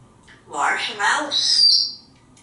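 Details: Pet African Grey Parrot on a shower perch in a bathroom, practicing alliterative words and phrases; a speech-like utterance of about three syllables, harsh and breathy with a bright upper tone, ending in a higher sustained squeaky note.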